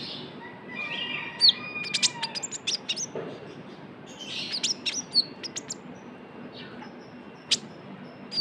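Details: Young Javan white-eye lure call: scattered high thin chirps and short sharp tweets in loose clusters, with softer hissing notes between and a few isolated chirps toward the end.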